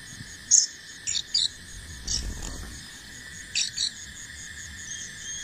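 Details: Fledgling bar-winged prinia learning to fly, giving short, sharp, high chirps singly and in quick pairs, separated by gaps, over a steady pulsing drone of crickets and insects.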